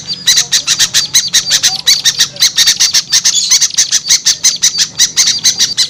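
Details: Lure sound for small birds: sharp, scratchy, high notes in a fast regular series, about five per second, over a faint low hum.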